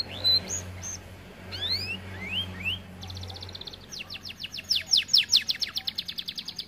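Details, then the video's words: Fat canary, noted as lazy to sing: short clear whistles and rising slides give way to a buzzy trill, then an accelerating volley of crisp descending sweeps; faint low hum underneath. "Kenari malas bunyi akibat TERLALU GEMUK"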